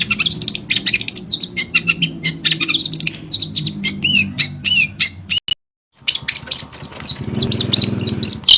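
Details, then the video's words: Javanese long-tailed shrike singing a busy, full song of clear inserted phrases: rapid clicks, chips and short whistled slurs tumbling together, with a brief silence midway and a low background hum. "Kicauan terbaik cendet Jawa gacor full isian jernih"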